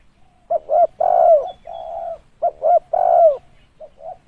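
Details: Lure call of a spotted dove for decoy trapping: paired short coos followed by a long, rich coo that slides downward, the phrase repeated twice and trailing into softer short notes.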